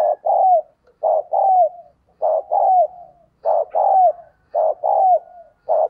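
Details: Spotted dove decoy bird giving vigorous urging coos meant to spur other captive doves to call; loud, low, hollow coos in paired bursts, each phrase ending in a short downward slur, repeated about every second against a silent background.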